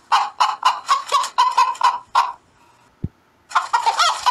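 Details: Cackling chicken at dawn: a quick series of loud, raspy clucks about four per second, a pause with one sharp knock, then a rougher drawn-out cackle.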